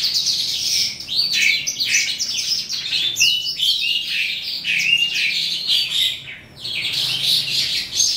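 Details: Evening singing by an eastern calandra lark, psammochroa: a fast, tangled medley of high twittering notes, buzzes and thin whistles, slackening briefly around six seconds before resuming.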